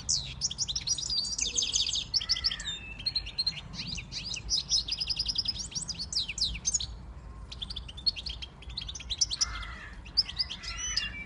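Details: A male siskin-goldfinch hybrid sings a fast, continuous twittering song of high tinkling notes, trills and buzzy phrases, with a soft low hum beneath.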